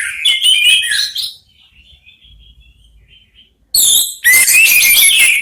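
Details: Three orange-headed thrushes in Indonesia singing back and forth: a busy warbled burst, then soft thin whistled notes, then loud rich whistles and scratchy chatter resuming.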